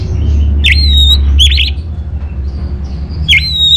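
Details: Orange-headed thrush song used as a master and lure for caged birds: a few squeaky swooping notes followed by drawn-out high whistles, three phrases over a low hum.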